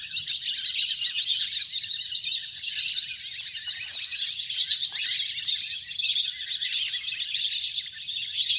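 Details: Big flock of ducks at play on water in nature, sound used to call birds down for hunting; constant sharp twittering and whistled chirps, many birds calling at once, with faint low rumble.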